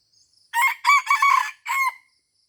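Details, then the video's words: Crow of a junglefowl at Taman Rusa, Aceh, during a luring session: four harsh, ringing segments delivered in about one and a half seconds, with soft insect buzzing behind. "AYAM HUTAN Aceh # Mikat di Taman Rusa"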